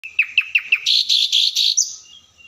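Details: Oriental magpie-robin singing energetically, a fill-in song with pauses meant to provoke rival birds to fight: four quick descending chirps, then a run of loud buzzy notes ending in a sharp upward flick.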